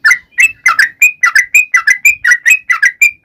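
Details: Sooty-headed bulbul calling its companions with quick chattering pairs of notes, a throaty downslurred chirp followed by a clear rising whistle, repeated densely over a few seconds.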